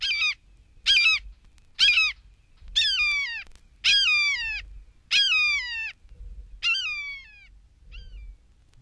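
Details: Red-shouldered Hawk from eastern and central North America giving a series of about eight loud, high, down-slurred screams, roughly one per second, fading at the end.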